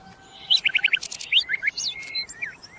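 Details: Common nightingale song: a quick run of four sharp chipping notes, then a varied jumble of rising and falling whistled slurs and buzzy notes, with low background hiss.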